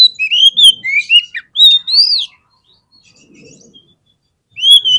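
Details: Oriental magpie-robin (kacer) song used as a lure to provoke fighting birds: loud whistled phrases sliding up and down, bursts of rich, varied notes, a pause of about two seconds, then the song resumes.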